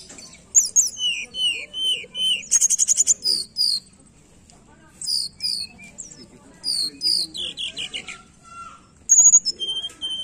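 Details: Lure song of a tledekan, played to get a silent bird singing: lively sequences of high chirps, slurred whistles and short buzzy trills, separated by brief pauses.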